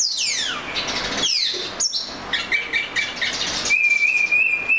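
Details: Oriental magpie-robin singing, descending whistled slurs and sweeps followed by a long level whistle, with traffic-like rumble underneath.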